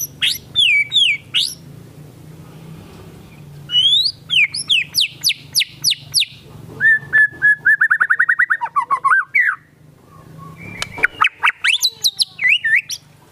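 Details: White-rumped shama in lively song with kapas tembak fill-in imitations: bursts of sweeping whistles, a rapid rattling trill of repeated notes and sharp upward strokes, over a steady low hum.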